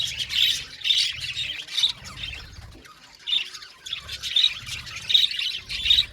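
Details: Budgies in an aviary calling in spaced bursts of high chirps and squawks roughly every second, separated by brief lulls, with low thumping beneath.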